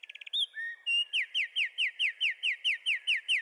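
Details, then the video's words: A wren sings: a brief stuttering opening, then a fast, steady run of bright, high, down-slurred notes, about four a second, with nothing else heard. "Wrens bird Singing"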